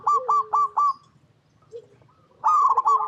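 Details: Zebra dove (local perkutut) cooing to draw other doves into song: four quick clipped notes, each with a lower undertone, then a pause with faint low sounds and a closing burst of rolled coo notes.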